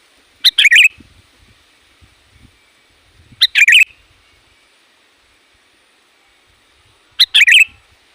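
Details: Sooty-headed bulbul call used to lure wild bulbuls: three short bright bursts, each a sharp note followed by a rapid bubbly chatter, spaced about three seconds apart over a quiet background.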